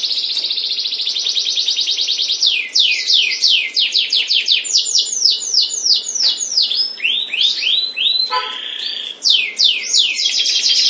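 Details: Canary from a breeding pair in varied song. A fast high trill opens, followed by a string of loud, falling sweeping notes and changing phrases. The song ends in another quick rolling trill.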